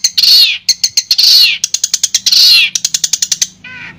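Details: Long-tailed shrike sound played as therapy for a shrike that has stopped singing: loud harsh rasping notes, each falling slightly, alternating with rapid runs of sharp high chips, ending in a softer scratchy phrase.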